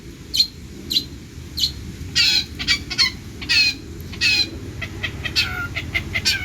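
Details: Energetic long-tailed shrike song rich in mimicry: harsh, grating bursts alternating with short high chips and a few downslurred whistles, all at an uneven pace.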